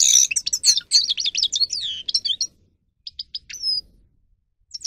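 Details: Grey-crowned goldfinch singing, played to prompt other goldfinches to sing: fast high twitters and buzzy trills for two seconds, a silence, then a few separate chirps and a sliding whistle, with a final brief chirp.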